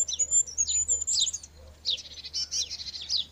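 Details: Goldcrest song in an area without conifers: two bursts of very high, thin, rolling notes cycling rapidly, each phrase rounded off with a quick twiddle. Faint low background hum.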